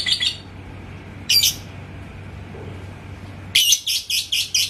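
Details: Yellow lovebird in Indonesia, goaded by a rival's song: two short harsh chirp bursts, then a rapid pulsed chatter beginning near the end, about five notes a second, high and scratchy over a low steady hum.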